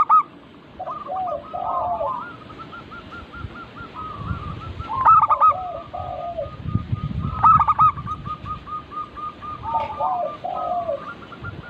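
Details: Zebra dove song from a lure recording used to prompt other local doves to sing. Long runs of quick coo notes with accented stutters, alongside a lower second caller and some low background noise.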